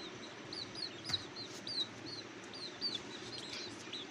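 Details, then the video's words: Thin, high squeaking from hungry cuckoo babies in their nest, short downslurred notes coming several per second, with soft thumps and a steady low background noise. "Beautiful cuckoo babies are very hungry"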